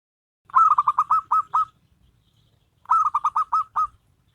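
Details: Zebra doves, a local bird and a crossbred bird, singing as a duet: two bursts of rapid, bubbling cooing notes, about six quick repeated notes each, separated by roughly a second of silence.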